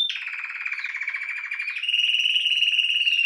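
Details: Domestic canary pouring out a continuous low buzzy roll that steps up into a steadier, louder trill, with dense harmonics, unbroken for the whole phrase.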